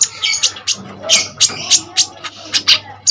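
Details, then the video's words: Common iora in full, energetic song used as a tutor for other songbirds: short sharp high chirps and squawky bursts, about a dozen spaced irregularly over three seconds, with a faint low hum underneath. "KONIN GACOR FULL TEMBAKAN SADIS"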